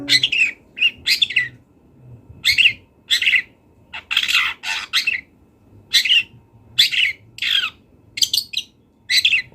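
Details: Long-tailed shrike from the wild sings with mimicked fill-in phrases. Grating, squawky bursts come in short clusters separated by brief gaps, over a soft low background hum.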